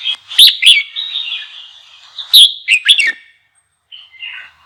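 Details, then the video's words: Red-whiskered bulbul singing to provoke other bulbuls into song: two bright, rapid chirping bursts about two seconds apart over a continuous high ringing background, then a short softer warble near the end. "GIỌNG CHÀO MÀO KÍCH BỔI _ KÍCH CHÀO MÀO BỔI CĂNG LỬA"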